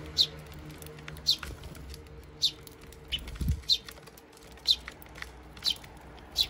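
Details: Eurasian tree sparrow adults with chicks eating at a feeder in Japan, June 2023; sharp high chirps spaced roughly a second apart, seven in total, with a brief soft wing flutter midway.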